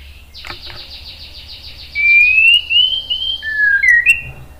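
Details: White-rumped shama singing as bait to make other birds respond: an opening buzzy rattle of fast pulses, then smooth rising whistled phrases and a pair of quick upslurred notes.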